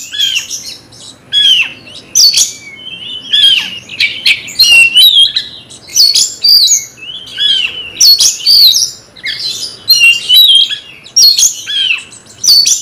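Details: Magpie-robin kept as a cage bird, stirred to fight a rival, sings an agitated string of short whistled and scratchy phrases, each under a second, coming in rapid bursts with brief gaps over nearly thirteen seconds.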